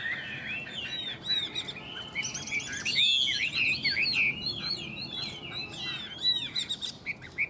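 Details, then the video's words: Singing duel between two Chinese hwamei with no owners: a fast, continuous jumble of sweet whistles and twittering slurs overlapping, loudest near the middle. "Họa mi hót đấu"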